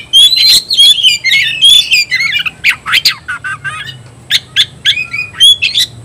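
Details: White-rumped shama challenging an opponent to fight: rapid run of rich whistles and chatter, then a string of sharp clicking notes and short whistled phrases.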